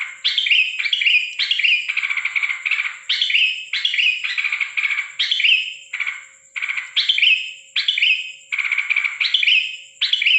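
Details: Sooty-headed bulbul calling oddly at night, 13 December 2023; a long run of harsh, buzzy chatter, each burst sliding down, repeated about every second, over a constant high tone.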